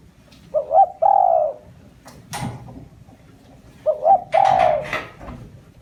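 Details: Spotted dove lure calling to entice wild doves, two repeated phrases of a short double note and a long soft coo about three seconds apart, separated by sharp knocks and rustling.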